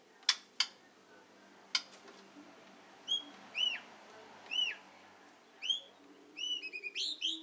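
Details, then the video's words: Captive breeding adult White-rumped Shama of the Medan type, kept in a breeding cage. Two or three sharp clicks, then separate curved whistled notes about once a second, ending in a quick cluster of short whistles. "Indukan Murai Batu Medan"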